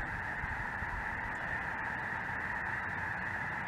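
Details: Massed calling from a sky-filling flock of Snow Geese and Greater White-fronted Geese, possibly including Ross's Geese, southern Indiana, chilly January 2023 afternoon; steady, dense overlapping honks form a continuous roar.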